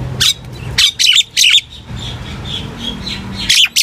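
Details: Common myna singing to gather the flock: a few loud, scratchy squawks and a wavering whistle over a low background hum.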